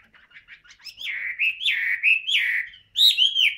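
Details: Chinese hwamei, a caged bird with yellow legs and beak, fanning its tail: a soft twittering lead-in rises into a run of loud, sweet, downward-slurred whistles repeated about twice a second.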